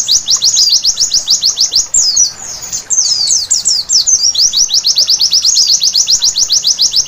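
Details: White-eye night singing: quick regular high down-slurred notes, a softer scrambled twitter in the middle, then the fast repeated notes pick up again to the end.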